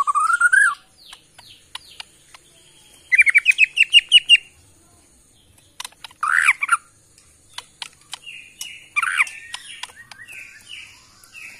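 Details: Kalimantan forest white-rumped shama of Borneo: a rising whistle, then a quick string of repeated notes, followed by scattered sharp calls, clicks and short slurred phrases with gaps.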